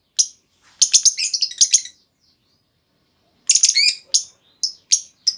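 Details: Female lovebird lure call intended to trigger long trilling replies; a single chirp then a dense run of harsh, chattering high notes, a long pause, and another chattering run ending in spaced sharp chirps.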